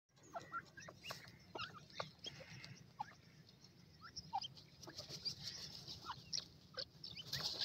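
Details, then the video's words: Grey francolin chicks playing on warm ground: many short, thin peeping and chirping notes, some rising, scattered irregularly, with soft rustling and pattering throughout and a low hum underneath. "dakhni teetar k bachay garm zameen khail rahay,white partridge baby voice"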